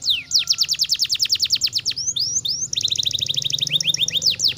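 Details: Canary song in fast trills: a long run of steep downward-sliding notes, a few drawn-out slurs, then a denser double-toned chattering trill ending in a falling whistle.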